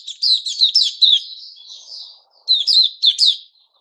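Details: Caged white-crowned shama in its new-feather season, 6 September 2021, singing rapid clusters of sharp, downward-sweeping chirps in two bursts separated by a brief pause, with a faint low murmur in between.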